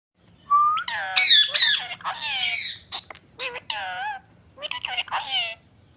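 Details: Pet ringneck parrot talking face to face, giving squawky, harmonic, speech-like phrases in quick bursts with rising and falling tones and short sharp notes, indoors with little background noise.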